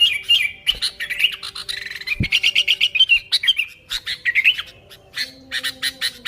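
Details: Sooty-headed bulbul singing actively, recording used to attract bulbuls: a long run of rapid, chattering warbled notes, rolling and lively, ending in a handful of short, dry chirps.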